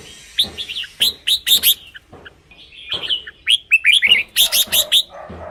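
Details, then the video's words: Red-whiskered bulbuls, a recording for decoy use or to excite caged birds: several overlapping chirpy, warbled phrases in close succession over a noisy background, at times dense and busy. "เสียงนกกรงหัวจุก สำหรับต่อ หรือ เปิดให้นกคึก เสียงเพราะๆ"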